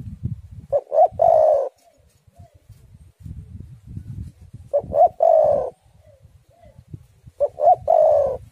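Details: [1, 'yes', 'song', 'Spotted dove song played as a lure to prompt other doves to sing, with storm wind noted. Two short rising coos lead into a long rolling coo. The full phrase comes about every four seconds, with soft low rumbling between phrases.']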